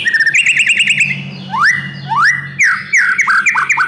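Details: Caged oriental magpie-robin used as a training and stimulation song: fast repeated rising chirps, then loud upward-sweeping whistles and varied trills, with a low hum beneath.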